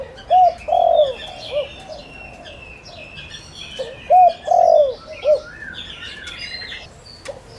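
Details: Decoy spotted dove calling to draw wild doves delivers two low cooing phrases about four seconds apart, each a short note, long drooping coo and short end note, with bird chirps above.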